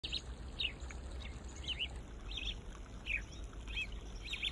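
Red-wattled lapwing giving sharp, strident chirped notes in uneven bursts, roughly one or two a second, over a steady low rumble of background noise.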